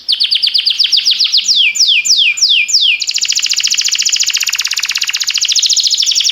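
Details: Canary training song: fast high chirps, a row of sweeping descending whistles, then an extended rapid rolling trill that stays steady to the end.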